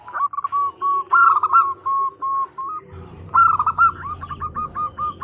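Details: Female zebra dove calling to the male as a lure: short whistled coos and rolling trilled phrases, a brief pause, then a fresh burst of bubbling notes over a low steady hum.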